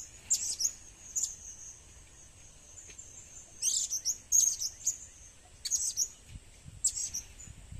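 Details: Blue-crowned hanging parrot calls recorded as a lure: high, thin squeaks in small bursts spaced every second or so, some in rapid clusters, with soft low background rumble.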